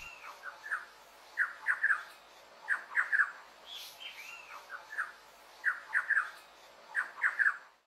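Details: Thrush-like Wren in an urban area of São Miguel do Iguaçu, Paraná, Brazil, hunting insects in mulberry and avocado trees; loud, throaty, chugging phrases of three or four notes, repeated about every one and a half seconds, with faint softer chirps between.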